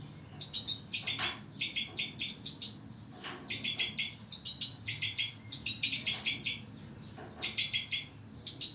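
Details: Two-barred crossbills, captive breeding pair with young, produce repeated bursts of crisp chirping notes, four to six per group at short intervals, with soft wingbeats between some bursts.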